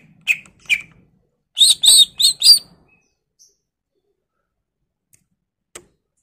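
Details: Greater green leafbird in full voice, played to provoke other birds into singing: two quick chirps, then a tight burst of four buzzy harmonic notes, followed by near silence with a stray click.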